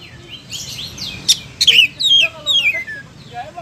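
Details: Oriental magpie-robin (kacer) singing a loose mix of sharp clicks and descending whistled slurs, the phrases uneven and partly overlapping, with a faint hiss in the background.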